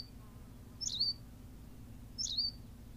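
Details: Two bright, high-pitched chirps about one and a half seconds apart from a Berthelot's pipit on La Gomera in the Canary Islands, with soft low background noise.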